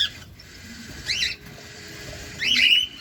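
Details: Cockatiel during feeding, giving two brief chirps about a second and a half apart, the second louder with a rising and falling whistle-like sweep, over constant low hiss.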